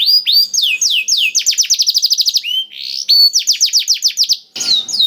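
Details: Canary carrying blackthroat song, meant to coax other canaries into singing: clear falling whistled notes, then quick rolling trills of repeated sweeps, ending with a brief noisy burst.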